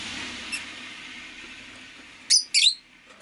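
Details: Over a steady hiss of background noise, a pet rosy-faced lovebird gives two quick, shrill, buzzy chirps in close succession.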